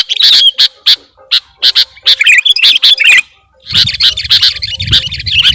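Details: Sooty-headed bulbul call used to lure birds: a quick series of harsh chirps and chattering notes, a brief silence, then a dense overlapping burst of chirping over low rumbling noise.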